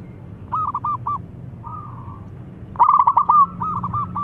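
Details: Local zebra dove song used as a lure to make silent doves sing: short spaced coo notes, a drawn-out soft purr, then a loud, rapid, rolling phrase followed by softer cooing trills.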